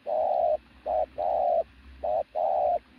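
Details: Loud-cooing decoy pigeon of strong, athletic build, steady mid-pitched coos in short-long pairs, each long note held about half a second, three phrases back to back.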